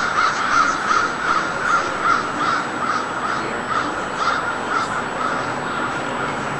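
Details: Crows give a fast series of short, harsh caws, about a dozen evenly spaced in quick succession, over a constant background hiss.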